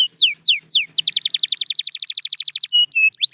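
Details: Canary song meant to get quiet canaries singing: a few loud descending whistled sweeps, then a fast trill of repeated short notes, ending in steady whistled tones and rising notes.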